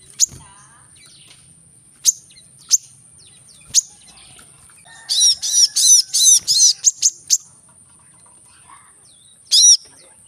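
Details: Brown-throated sunbird, known locally as kolibri kelapa, in rapid-fire song used to stimulate reluctant singers: isolated high chips, then a dense run of about seven loud, ringing chirps, another short burst near the end.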